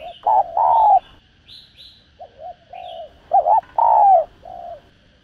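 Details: Spotted dove cooing, used to excite decoy birds and lure others for trapping: soft low hollow coos in repeated phrases of short and longer notes, with faint higher chirps from another bird.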